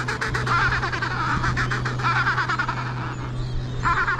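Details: Fledgling Adelie penguins begging from parents for food at Devil's Island in the Weddell Sea, Antarctic Peninsula: rapid pulsed, braying squawks in bursts, pausing then resuming at the end, with a constant low engine drone beneath.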